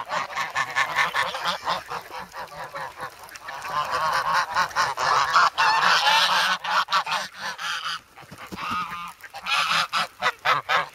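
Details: Flock of grown geese, once goslings, clamouring for bread in winter snow at Sloterpark in Amsterdam, filmed February 3. Continuous chorus of harsh, strident honks, dense in the middle, thinning briefly before a final burst of rapid calls.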